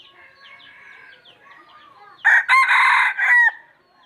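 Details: Red junglefowl, a wild rooster, crowing: a loud, harsh four-part crow, the last note drawn out and falling, after two seconds of faint chirping and twittering from other small birds in the background.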